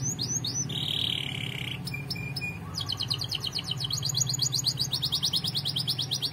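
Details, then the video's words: Canary song for training: a varied phrase of rising slurred whistles, a flat buzzy note, then long rapid trills of repeated bright notes, over a steady low hum. "Most Powerful Canary Bird Song Singing Training"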